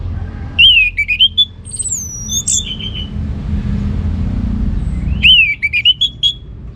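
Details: Orange-headed thrush in ngeplong gacor song: rich, wavering whistled phrases that rise and fall, with a high sweeping note in between. After a quiet stretch of low background noise, a similar phrase returns.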